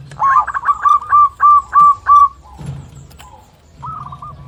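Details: Zebra dove, local type, singing to call a rival: seven loud, evenly spaced cooing notes in quick succession, followed by a quieter pause and a short rolling trill; low background rumble.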